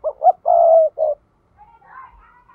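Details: Decoy spotted dove calling to draw in wild doves for trapping: two short rising notes, a long husky coo and a shorter closing coo, then faint higher warbling sounds.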